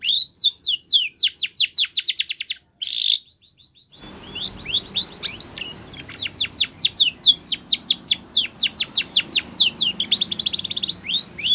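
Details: Spanish Timbrado canary singing for training: rapid rolls of crisp downward-sweeping notes, a brief break, then long even series of clipped high chirps repeated several per second.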